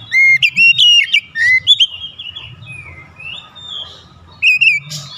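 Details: An oriental magpie-robin (kacer) provoking a rival: strong whistled phrases with wavering notes, a slurred downward whistle, a pause filled with soft twitters, then another short whistled pair over faint background hum.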